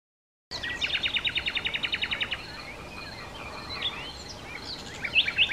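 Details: Common nightingale (Luscinia megarhynchos megarhynchos) singing in Sithonia, Chalkidiki, Greece, on 10 May 2020: a rapid run of about a dozen sharp repeated notes, then scattered whistles and chirps over steady background hiss.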